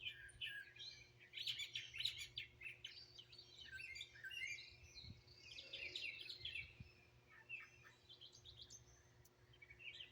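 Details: Several wild birds singing and chirping in Greenville, South Carolina, recorded raw on a phone: overlapping quick high chirps and trills from multiple birds, with a steady low hum in the background.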